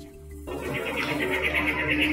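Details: Cactus wren in the desert near Cabo, Mexico: its distinctive call, a rapid, harsh, chugging series of rasping notes, over a steady musical hum.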